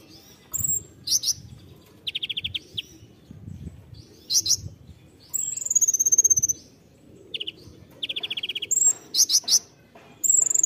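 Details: Konin delivering its 'tembakan' song: varied bursts of sharp high chirps, buzzy rapid trills and clear drawn-out high whistles, phrases coming every second or so, with a low rumbling background.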